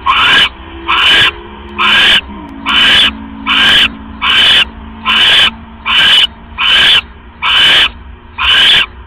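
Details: Owls at a nest at 3:40 AM, October 5, 2015, when a rat is brought in and the female casts a pellet; a long series of rasping, hissy screeches at a steady rhythm of more than one per second, with a faint low tonal hum.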